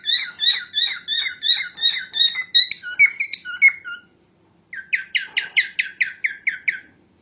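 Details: Female cockatiel, recorded for training cockatiels, gives a rapid string of repeated chirps that ends in a few slurred notes. After a brief pause comes a second run of sharp rising squeaks.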